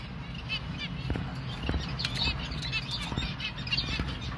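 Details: Hand-fed finch chick begging in insistent, high, rapidly repeated chirps, about two bursts a second and irregular, with a few low knocks and a steady hum.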